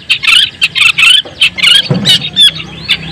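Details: Long-tailed shrike, white-breasted Madura type, singing to provoke other shrikes: harsh grating chatter in close bursts, then a rasping squeal and a thin whistled note, low hum in the background.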